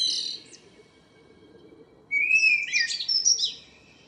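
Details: Common blackbird near home singing at morning, 2 April 2013: a brief high twitter, a long pause, then a fluted rising note followed by scratchy high flourishes.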